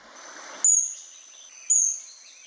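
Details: Black-backed kingfisher (oriental dwarf kingfisher) at Kaeng Krachan, Phetchaburi, Thailand, 2025; two shrill, very high, thin notes about a second apart over a steady high insect-like whine.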